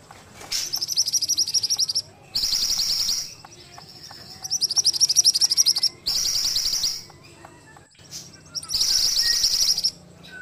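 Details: Ashy tailorbird singing briskly, recorded for training other songbirds: four high, rapid trilled bursts of about one second each, fast chattering notes separated by short pauses, with faint lower piping notes in the gaps.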